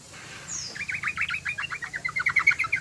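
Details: Yellow-vented bulbul in full song, a voice meant for luring other bulbuls: a quick run of liquid, chirping notes that grows louder and brighter toward the end, preceded by a thin high whistle and low background rumble.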